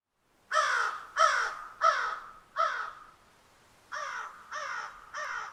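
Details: Crow calling in a rapid series of seven short, harsh caws, four in quick succession, a brief pause, then three more slightly softer ones.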